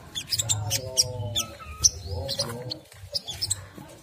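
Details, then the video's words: Crimson sunbird singing a ngriwik kemrecek style song, used as a lure to provoke other sunbirds to sing: sharp high chirps and short bright tweets scattered irregularly, over a low steady hum and faint background noise. "SOGON ngriwik kemrecek untuk pancingan bunyi burung SOGON lainnya"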